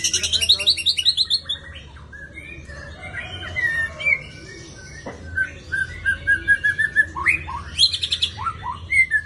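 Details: Kept white-rumped shama in Jakarta sings a varied, loud song: bursts of sharp high chirps, then a run of clear repeated whistled notes, ending in rapid high chattering phrases.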